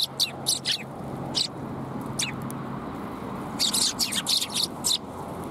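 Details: Group of sparrows at Tenmangu shrine, January 21, 2022, afternoon; clear high chirps open the clip, then a dense run of overlapping tweets follows after a lull, against soft low background noise.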